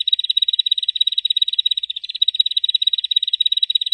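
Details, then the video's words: Bar-winged prinia (ciblek) in its continuous 'ngebren' song style, used as a master recording for training cage birds: an unbroken, rapid stream of high, even chattering notes held at one steady pitch, with no other sounds. "Suara burung ciblek ngebren untuk masteran"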